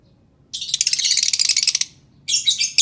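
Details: Lovebird singing, used to prompt silent lovebirds to sing: a dense, rapid buzzy chatter of high chirps lasting over a second, then a pause and another burst of harsh trilled notes.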